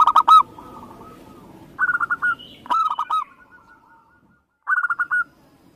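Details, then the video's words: Local zebra dove, perkutut lokal, Indonesia: three or four clear phrases of quick, bubbling coos, each under a second long, separated by pauses, with a faint low hum beneath. "Perkutut lokal"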